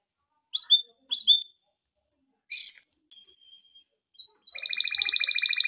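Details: A male canary sings a training song. Isolated sharp chirps and a thin whistled note are spaced out with pauses. Near the end a fast, high, buzzy trill begins.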